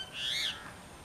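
A yellow wagtail gives one slurred, slightly buzzy 'tsweep', rising then falling, lasting about a third of a second, over a faint steady hiss.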